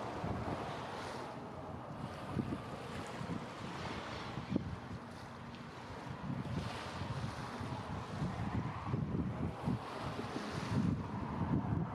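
Only wind buffeting the microphone and the wash of waves and water are heard, with no animal calls.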